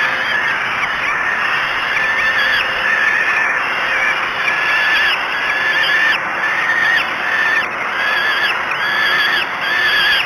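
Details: At Great Spirit Bluff, falcons feed their chicks for the first time at dawn, 05:56 on 24 May 2016. Harsh, hoarse calls with overtones repeat roughly once a second over continuous background hiss.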